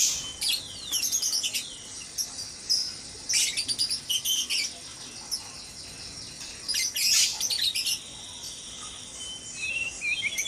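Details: At dawn in a breeding cage, white-rumped shamas give loud bursts of rapid high chirps and trills, each lasting about a second, spaced several seconds apart, with thin whistles between.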